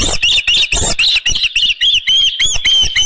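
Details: Osprey at its nest at Dunrovin Ranch with a live fish, 7:32 AM on 24 June 2018: a run of short, high, clear chirping calls repeated rapidly and somewhat irregularly, broken by bursts of broadband rustling or wind noise.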